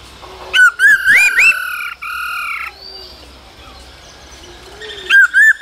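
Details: Male laughingthrush sings and dances with a female calling, cold season, for stimulating young birds; a tight run of rising whistles and a buzzy drawn-out note, then quiet, then more whistles.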